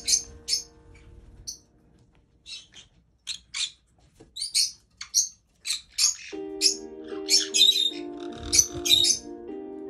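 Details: Caged pet white-bellied caique bathing in a big bath in Japan, on its third day with it; short, sharp high squawks and chirps come in irregular bursts, with music starting partway through.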